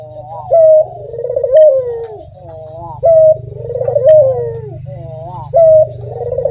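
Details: Barbary dove in strong voice: three coo phrases roughly every two and a half seconds, each opening with a clear short note and ending in a throaty, rolling, falling coo.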